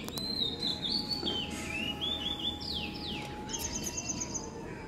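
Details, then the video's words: Oriental magpie-robin singing in the evening, a rambling run of whistles, slurs and quick downward sweeps, with a steady faint tone and noisy background throughout. "Robin🐦 singing a beautiful tune | Magpie Robin"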